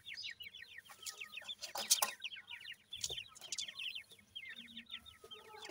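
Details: Grey francolin chicks being fed chirp in rapid high-pitched series, each note a brief downward slur, the chorus continuous apart from a couple of loud scraping noises.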